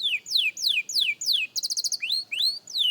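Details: Young canary in song practice, giving clear downward-sweeping whistles in steady succession, a quick high rattle, then upward-curving whistled notes.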